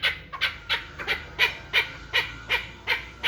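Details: Hybrid chukar partridge, a one-year-old fighting and hunting bird, giving harsh, clucking chuk notes repeated steadily almost three times a second.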